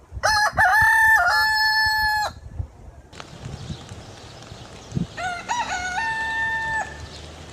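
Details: Rooster crowing twice: a loud, harmonic cock-a-doodle-doo with stuttered opening notes and a long held final note of about a second, then after a pause a second, fainter crow of the same shape over background noise.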